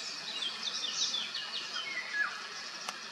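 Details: Starlings bathing at Madocsa, Hungary: a short burst of high, squeaky whistles and scratchy notes, including a few descending slurs, against a steady hiss of background noise.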